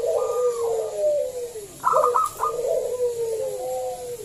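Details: Local zebra dove lure song: long wavering coos sliding downward, split midway by a burst of rapid sharp notes.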